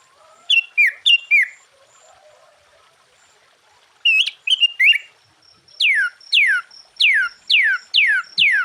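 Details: Sooty-headed bulbul singing full-variation phrases to rouse other bulbuls: groups of three or four falling whistled notes, then a steady series of six long downward-sweeping whistles against a thin continuous high tone.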